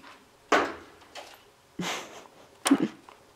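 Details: A woodpecker that has been pecking at the same window four or five times a day for days raps on the glass: three sharp, hollow knocks about a second apart with a fainter tap between, heard from inside a quiet room; owners unsure whether it sees a mate or a rival.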